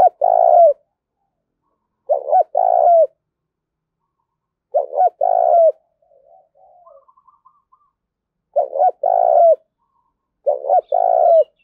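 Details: Spotted dove decoy in a challenging calling bout: five coo phrases, each a clipped double note then a long mellow coo, spaced about every two seconds, with soft twittering from small birds in one pause.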